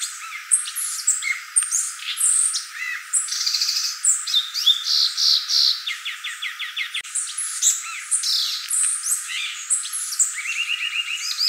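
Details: Violaceous euphonia pours out a rich medley of high chirps, buzzes and whistles, with bursts of fast repeated descending notes and a short rattle near the end, about three notes a second.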